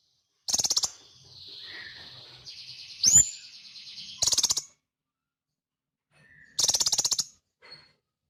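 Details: Sunbird delivering spaced dry chattering rattles joined by a thin, level, high-pitched whistle and a single sharp upswept note, with short silent gaps between phrases.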